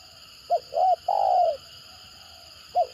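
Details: Spotted dove giving its stuttering 'gagap' lure call to draw replies from other birds: a short pip, a rounded coo and a longer falling coo, followed after a pause by the opening of another phrase; soft constant hum behind.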